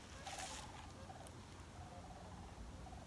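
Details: Migrating sandhill cranes passing high overhead in winter give faint, rolling, rattling calls, with several overlapping in the distance, along with a brief gust of wind and low rumbling noise.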